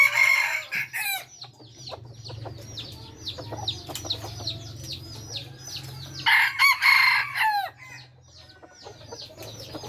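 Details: Red junglefowl, F3 bred generation, giving two crows: one opening the recording, another later ending in a falling drawn-out note. In between, a dense chorus of small birds chirps and trills over a low hum.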